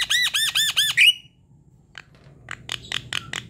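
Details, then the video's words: Lure recording of a Javan myna in full song, manggut style running into a long ngerol roll: five rapid arched ringing notes, a brief gap, then scattered harsh rasping clicks building again. "MANGGUT² sambung NGEROL PANJANG ~ Pancingan jalak kebo"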